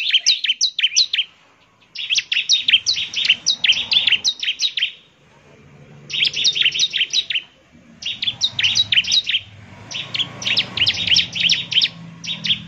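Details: Bar-winged prinia pouring out a lively song that makes other prinias reply, bursts of rapid high chirping trills lasting two to three seconds separated by short pauses, low murmur beneath.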